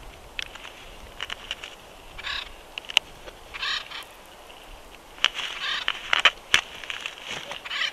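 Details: Bald eagles at their Big Bear nest at the end of the day, April 22, 2021: short, harmonic chirping calls in scattered bursts, mixed with sharp knocks and bumps from the nest.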